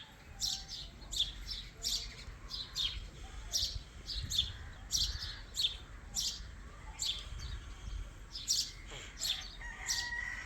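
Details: Young Indian ringneck parakeet giving bursts of bright, high-pitched chirps, often in quick pairs or triplets, repeated steadily throughout, with faint low household background noise.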